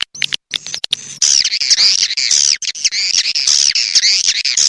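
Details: Swiftlet calls in the rainy-season style: dense, buzzy, high-pitched twittering chatter that wavers up and down continuously. The chatter is preceded by a few short scratchy bursts.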